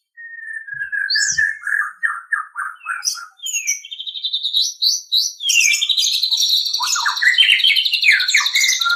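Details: Song of a white-rumped shama, recorded as master audio for training kept birds: a series of slurred descending whistles opening the phrase, then ever denser, louder high chattering and sweeping notes building to a continuous rich torrent.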